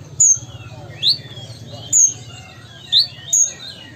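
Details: Ruby-cheeked sunbird, Sumatran origin, spacing out single piercing high whistles and upswept chips about one per second over a continuous low hum.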